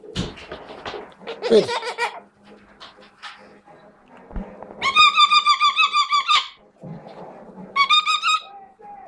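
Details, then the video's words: Chestnut-fronted macaw (Ara severus) giving harsh, raspy squawks in bursts, a long grating call around the middle and a shorter one near the end, with softer scattered noises and a low steady hum indoors. "Chestnut-fronted Macaw"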